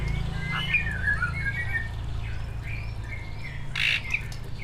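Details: Greater green leafbird, a captive competition bird, giving thin whistled notes and slurred trills at moderate pitch, with a brief harsh burst near the end over low background hum.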